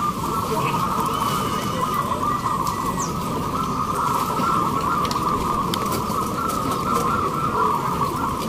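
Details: Local zebra doves in hanging cages singing at a national song contest in Indramayu, West Java; overlapping coos blend into one continuous warbling chorus, with background crowd noise, a faint voice and a brief higher whistle.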